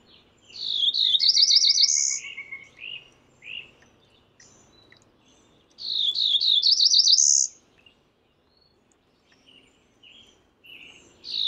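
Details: Cerulean warbler calling: two high, buzzy songs about five seconds apart. Each rises through rapid wavering notes to a dry, buzzing end. Between the songs come a thin steady whistle, short chips, and a song starting at the end.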